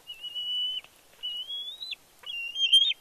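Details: Young bald eagle squeeing excitedly at Big Bear on 31 May 2022 as the male parent flies in carrying a fish. Three drawn-out, high whistles climb gently in pitch, with brief silences between them.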